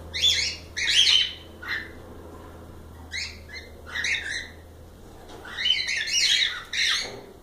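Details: Several cockatiels calling in short bursts of harsh, harmonic chirps and squeaks, clustered in groups of two or three with quiet pauses, over a faint low hum.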